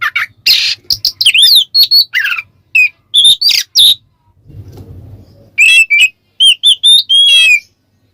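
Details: Ngeplong song of a kacer, or Oriental magpie-robin, used to spur other birds: loud harsh note, twisting whistled phrases, a short low rumble, then a run of clear rising whistles.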